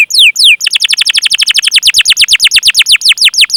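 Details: Canary singing to prompt other canaries: two long drooping whistles, then a dense run of sharp falling 'cuit' notes repeated about three times a second, steady and loud.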